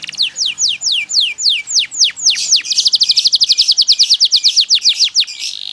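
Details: Yellow canary, a fighter-type singer, delivering a rapid run of downward-sweeping whistled notes that speeds into a fast, dense trill of repeated notes over about five seconds.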